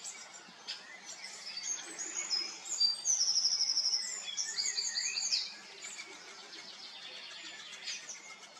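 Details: Juvenile great spotted woodpecker calling loudly with wide-open beak while waiting for a parent to bring food; rapid series of high, sharp, buzzy notes peaking mid-clip, repeated quickly, with fainter calls before and after.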